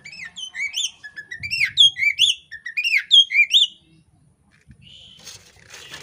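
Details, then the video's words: Female Oriental magpie-robin in breeding condition displaying with spread tail: a string of bright rising whistles with sharp high overtones, then quiet with a brief buzzy rustle near the end. "kacer poci betina birahi ngobra buka ekor AMPUH bikin jantan langsung ikut ngobraaa"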